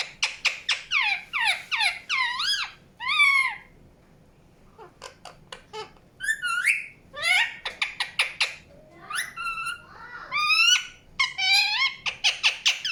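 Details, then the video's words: Indian ringneck parakeet producing clusters of quick sharp chirps mixed with wavering screeches, broken by a pause of about two seconds before more rapid, varied chattering. "PARROT CHIRPING SOUNDS | NATURAL SOUNDS PARROT CHIRPING"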